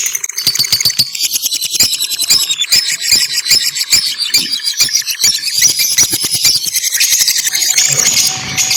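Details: Lovebirds singing and chirping as a noisy group, sustained shrill twittering and squeals with rapid clicks, continuing steadily; a faint steady tone appears near the end.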